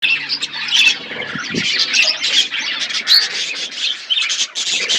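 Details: Budgerigars in a forest-environment aviary, a caged colony chirping together: dense overlapping warbles, chirps and squawks in a steady chatter, with no clear pauses.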